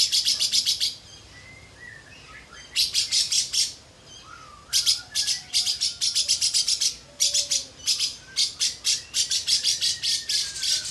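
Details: Lovebird song filled with imitated katem notes; repeated bursts of very high, dense, fast chirping trills separated by short quieter pauses.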